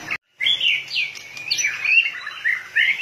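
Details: After a brief silent break, a white-rumped shama in high spirits sings a long, fluid whistled phrase that wavers and slides, ending in a few rising notes; tail flicking continuously.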